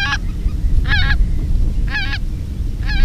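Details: Greater white-fronted geese reacting to decoy calling in 2016: loud, clear squeaky two-syllable yelps repeated roughly once a second, four bursts in three seconds, with a low rumbling wind background.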